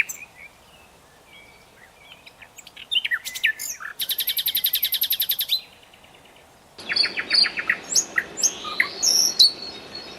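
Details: Nightingale singing: scattered high chirps, then a long rapid rattle of buzzy repeated notes, a pause, and a fresh phrase of quick clicking notes and whistled slurs.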